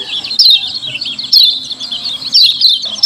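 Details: Shrill, crowded chirping of lemon-bellied white-eye, a 'ciak ciak' lure sound: high twittering notes surging in loud bursts about once per second, with no other clear sounds.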